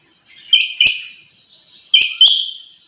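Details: Early-morning calls of a female quail, a sharp double chirp heard twice about 1.4 seconds apart, each pair joined by a thin, trailing buzzy tone.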